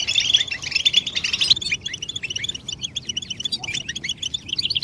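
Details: European goldfinch calls meant to bring a male out of silence: a thick burst of bright chatter, then a steady run of separate short, high, slurred chirps spaced evenly.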